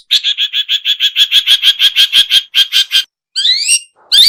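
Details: Long-tailed shrike call used to lure birds: a fast run of about twenty harsh, evenly spaced chattering notes, then a brief pause and a few rising squeaky notes.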